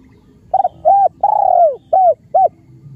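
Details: Spotted dove from Cambodia cooing: a stutter of quick notes, two arched coos, one long falling coo, then two short coos. A steady low hum runs underneath.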